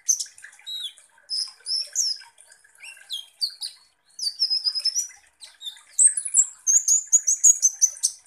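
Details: Lively sunbird (kolibri ninja) lure song meant to excite rival birds: a fast run of sharp, high chirps, squeaky descending slurs and steady thin whistles, ending in quick buzzy repeated notes.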